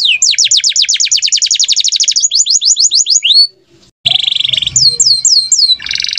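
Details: Canaries singing gacor-style: a long fast trill of sharp downslurred notes, a short silence, then buzzy tones and slurred whistles, with faint background noise.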